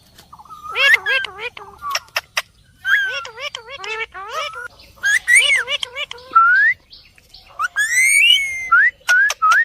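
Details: A parrot gives a varied string of whistles and chatter: rising and falling whistled notes, wavering nasal phrases and a few sharp clicks, with short gaps between bursts.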